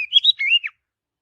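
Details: Brief forest phrase from an Oriental magpie-robin: a quick string of warbled, slurred whistles, rising, then dipping and fading out.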